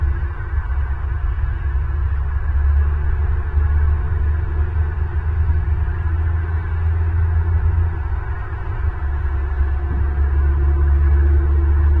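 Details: A steady low rumble of wind and hum continues throughout, with no animal calls.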